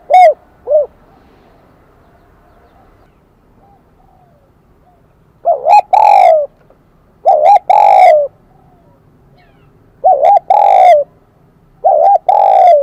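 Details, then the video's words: Spotted dove, a wild-caught bird with the bell-like 'kim đồng' high voice, repeating phrases of two or three ringing arched coos with longer middle notes, spaced roughly every two seconds. "Tiếng chim cu gáy giọng KIM ĐỒNG bổi nghe rất nhạy"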